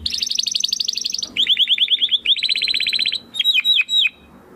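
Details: Canary song used for training competition birds: a fast high trill, then repeated rising-falling chirps in quick series and a few loud swooping whistled notes, with a faint low hum underneath.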